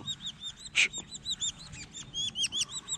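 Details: Collared falconet in hunting training: steady high-pitched chittering, short arched notes in quick succession, with one loud rasping burst near the start against a quiet background.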